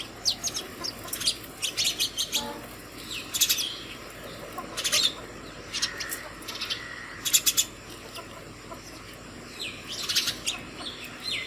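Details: House sparrow calling other sparrows to food in the morning at a bottle-and-plate hanging feeder; repeated sharp chirps in short runs of two to four, steady throughout, over low background hum.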